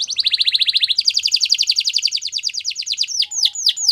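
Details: Spanish Timbrado canary training song: a continuous fast trill of repeated buzzy notes, stepping up in pitch midway, ending with a few slow downward-sweeping whistles.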